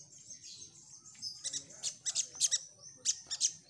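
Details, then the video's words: Little spiderhunter (sogok ontong) song used as a lure to draw responses from wild birds: a loud, lively burst of very high, sharp chirps and short trills in quick clusters after a faint, thin opening. "Burung Sogon Gacor"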